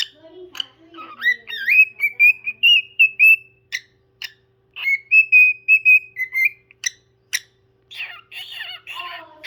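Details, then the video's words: Parrot singing: two long, steady whistled phrases with slight wavers, each introduced by rising slurred notes and separated by sharp clicks, ending in buzzy chatter; soft hum in background. "Parrot singing"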